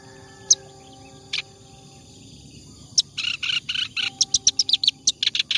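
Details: Clamorous reed warbler, singing nonstop as a tutor for training other birds: a few isolated sharp notes over near silence, then at three seconds a fast run of rasping chatter and bright high chips.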